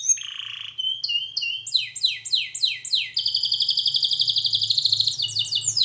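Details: Canary song for training: a buzzy roll, rising chirps, a run of loud falling whistles about two per second, then a long rapid trill and more sweeps.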